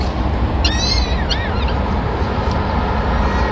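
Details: Peregrine falcon in Madrid, 26 April 2016, as the male delivers the first food of the day, a small bird, to the chicks; one short burst of thin, descending whining cries against a steady low urban rumble.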